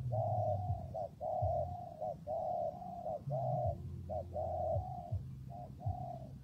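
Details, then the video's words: In windy, rainy conditions a spotted dove coos steadily, alternating short clipped notes with longer, even, hollow coos at a quick, regular pace. A persistent low hum and rumble run underneath. "Thời tiết mưa gió ace vào nghe cu gáy gù cả ngày"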